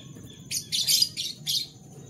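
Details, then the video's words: Canary in the morning giving four loud, bright, buzzy high chirps in quick succession over about one second, with faint low background hum. "Canary Bird Sounds"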